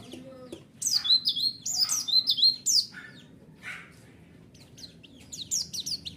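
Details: Lure song of a white-eye meant to provoke a response: a rapid, lively run of high, thin, zigzagging chirps, a brief pause, then another quicker burst of twittering notes.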